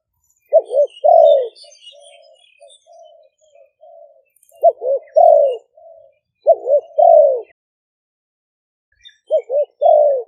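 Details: Two caged decoy spotted doves of Malay and Phat Phon lines, recorded live at a dove camp in Roi Et, Thailand, on a smartphone. They give repeated rough, rolling coo phrases, each ending in a long falling croo, with softer trailing coos between.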